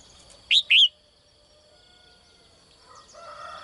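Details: Female bird calling from a cage to attract a strong male: one sharp high double chirp, a short note then an arched one, followed by quiet and faint distant sounds.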